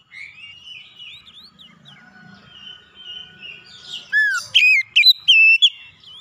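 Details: Oriental magpie-robin singing to provoke a rival: soft varied whistles and slurred notes, then loud clear whistled phrases with a sharply falling slur and repeated high notes near the end.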